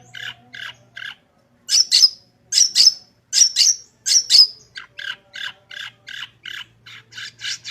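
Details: Long-tailed shrike singing as a training recording to get other shrikes singing: harsh, squawky high notes repeated about once a second, with loud paired screeches in the middle and steady chip notes at the end.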